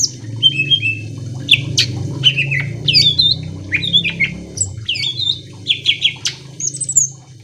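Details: Greater green leafbird singing to provoke other leafbirds into song: clear whistled phrases and crisp chips, several rising and falling notes, over a constant low rumbling hum.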